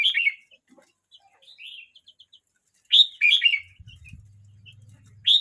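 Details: Twelve-month-old red-whiskered bulbul, 29 days past its first year, delivers a rich chattering whistled phrase, then softer notes, then a second loud phrase. A low hum enters in the latter half.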